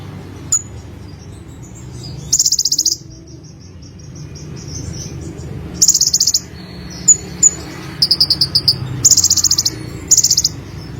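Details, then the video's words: Olive-backed sunbird (konin) in energetic song: high rattling trills mixed with sharp thin chips and short stuttered bursts, all very high-pitched against a quiet low hum. "BURUNG KONIN SUARA GACOR FUL MATERI 100% JERNIH || KOLIBRI"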